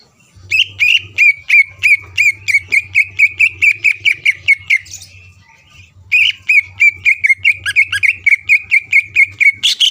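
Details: Caged greater green leafbird in full song, used to rouse rival leafbirds and keep their temper steady for contests: long bursts of rapid, high, ringing chirps, a pause, then another rapid series, over a low steady hum.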